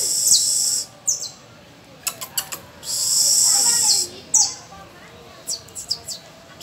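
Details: Canary with young learner birds on the first of May; a high trill, sparse sharp chips, a second long rolling trill and a few scattered notes, fairly quiet overall.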